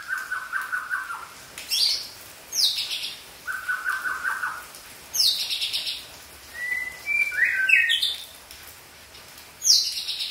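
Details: Forest-caught young Aceh white-rumped shama in song, alternating lower warbled trills with piercing high downward sweeps, plus a brief rising run of quick whistled notes near the end.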